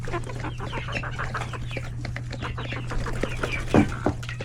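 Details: Crowded coop of chickens, roosters and chicks at a hectic lunch; scattered clucks and chick peeps, with a louder harsh squawk near the end and a steady low hum.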